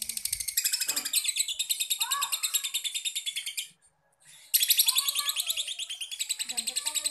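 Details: Rapid, piercing lovebird chatter used as a lure to prompt other lovebirds to sing, pausing briefly midway before resuming in quick even pulses; a person's voice is faintly heard underneath.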